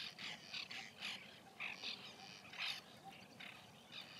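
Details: White-winged terns calling at a nesting colony in 2021: short scratchy notes, about one every second, rising and falling in loudness as birds overlap.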